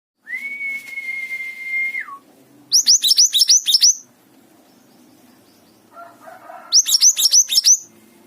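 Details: Mountain tailorbird singing actively: a long, steady, thin whistle held for about two seconds and dropping at the end, then two rapid bursts of about eight sharp, high, descending notes.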